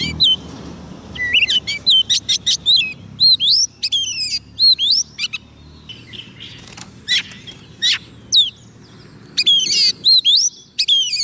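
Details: Singing to lure wild birds, a soft-food-fed Oriental magpie-robin gives repeated phrases of slurred whistles and fast scratchy trills, separated by short gaps, over an eleven-second stretch.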